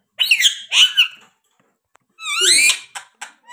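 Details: A pet parrot gives two harsh, buzzy squawks, a pause, then a longer raspy call with a rising edge, followed by short clipped squeaks.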